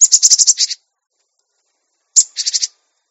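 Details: Cinereous tit, recorded as training material for raw caged birds; two bursts of harsh, buzzy, rapidly repeated notes, about nine in the first and five in the second, very high and rasping, with a clean background.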